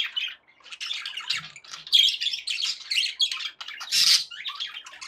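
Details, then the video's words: Happy budgies keep up steady scratchy warbling mixed with louder squawks and chirps, the chatter almost unbroken across the recording. "happy budgie sounds"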